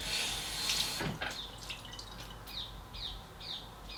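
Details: A green parakeet gives short, high, downward-slurred chirps about twice a second on a muggy day, after a burst of running tap water.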